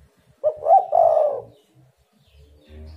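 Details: Spotted dove calling as a lure to make other doves answer, giving a single low, mellow coo phrase of two or three soft hooting notes, then quiet with faint background noise.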